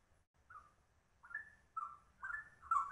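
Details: Straw-headed bulbul giving its trucuk-style ropel song: after a quiet start, a few spaced, rich warbled notes build in loudness, each a short gurgling slur.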